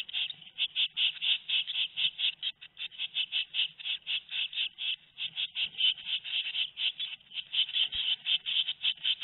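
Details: At Théding, France, on 13 May 2019, tit nestlings aged two weeks call in a steady, fast run of scratchy high notes, about eighty pulses a minute, filling the whole recording.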